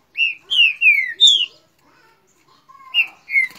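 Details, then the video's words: Rio de Janeiro green-winged saltator counter-singing with its neighbour: four rich whistled notes falling in pitch, a pause, then two softer answering whistles. "Trinca ferro baderna com o vizinho"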